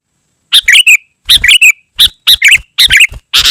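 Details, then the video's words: Sooty-headed bulbul in lively, very dense song, used to call wild bulbuls and tutor caged ones: short bursts of bubbly, warbled notes that rise and fall, in several quick phrases separated by brief pauses. "Suara Burung KUTILANG GACOR Sangat Rapat"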